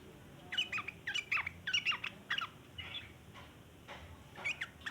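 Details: Sooty-headed bulbul giving a long chattering song, used as a lure for other bulbuls: bursts of short, sharp, slurred chirps repeated in quick uneven clusters with brief pauses, over faint background hiss.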